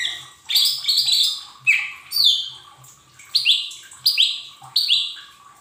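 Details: A Lesser green leafbird in a training recording meant to get untrained cage birds singing: an opening tumble of chattering whistles, then a string of crisp, downslurred notes in quick succession, over a low background hum.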